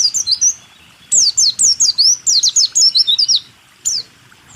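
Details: Rool tembak white-eye song for teaching caged birds: a brief twitter, then a dense two-and-a-half-second rush of high, steeply dropping whistles, ending with one lone chirp.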